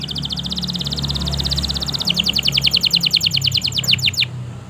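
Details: Canary with extended song played to rouse canaries that rarely sing: an unbroken trill of rapid high notes, later becoming slightly slower, drooping chirps, with a low steady hum underneath.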